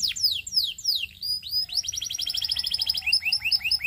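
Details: Belgian singing canary, said to seduce other canaries: several sweeping falling whistles, then a fast rolling trill and clipped, bouncing rising notes repeated quickly.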